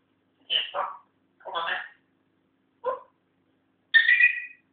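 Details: Four separate raspy, speech-like phrases from a pet African grey parrot learning to talk, the last one higher and buzzier, with short silences between them in a quiet room.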